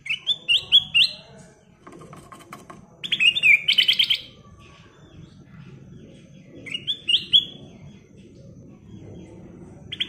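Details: Kutilang emas, or ruby-throated bulbul, in full 'gacor isian' song: a run of rising whistled notes, a dense bright phrase, then another rising whistle several seconds later, over steady low background noise.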